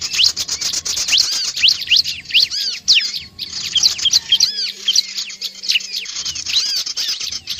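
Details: Bar-winged prinia calls used to draw in curious birds: rapid high chirps and sharp upswept notes in quick, overlapping bursts, with a short lull near the middle.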